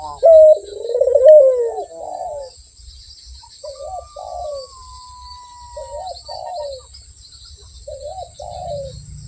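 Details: Barbary dove giving one loud, rolling, purred coo, then several softer, shorter two-part coos spaced about two seconds apart, with a faint thin whistle in the background.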